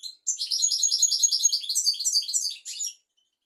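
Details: Continuous rapid twittering of a European goldfinch, bright and tinkling with buzzy notes woven in, lasting nearly three seconds; recorded as a tutor song for young goldfinches and canaries.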